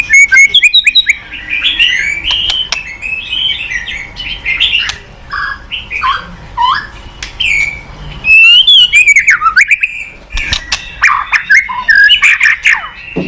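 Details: White-rumped shama in full song, a rich, varied run of loud whistled phrases, sharp upslurs and buzzy notes, with brief pauses between bursts and a clearly separated final burst of clipped notes.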